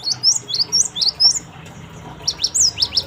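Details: Gelatik batu (cinereous tit) song played as a lure for wild birds: loud, high, whistled chirps repeated rapidly in two phrases of about six notes each, separated by a short silence.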